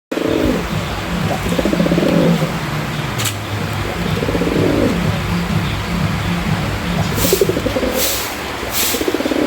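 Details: Wild pigeons give low, soft rolling coos that swell and fade every couple of seconds, with a few brief hissy bursts and a steady low hum behind.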